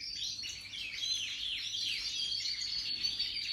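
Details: Major-type European goldfinches from 2023 in full song, a busy stream of sharp twitters, rising and falling whistles and liquid trills packed tightly together, with a faint low background hum throughout.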